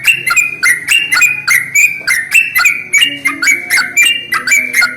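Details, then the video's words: Loud, busy sooty-headed bulbul chatter used as a lure for bulbuls, with rapid bubbly whistled notes tumbling several per second, bright and slightly harsh, continuing without pause. "SUARA pancingan paling AMPUH untuk Trucuk jenis apapun"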